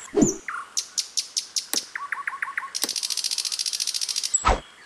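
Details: Sikatan londo flycatcher singing in the wild: a sharp high note and a dropping whistle, then a row of quick falling chips, followed by a fast buzzy trill running for over a second.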